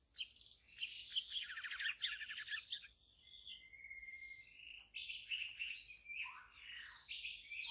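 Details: Wild white-rumped shama singing in deep forest: rich, rapid song mixing dense buzzy trills, a long pure whistled note and varied high fluting phrases, with no other sounds.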